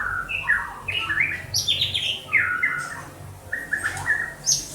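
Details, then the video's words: White-rumped shama from Banda Aceh producing a lively stream of whistled notes, stepping up and down in short fluty phrases with occasional high sharp accents. "Murai batu sugeng"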